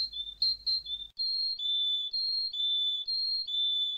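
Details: Canary song: clear, pure whistled notes alternating between two close pitches, each held about half a second in a slow, steady see-saw tour, with faint low hum early on.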